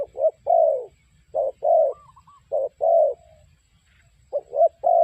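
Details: Trapping lure call of a spotted dove: steady low coos in phrases of a short note followed by a longer drawn note, repeated about every one and a half seconds, a faint higher slurred note once between.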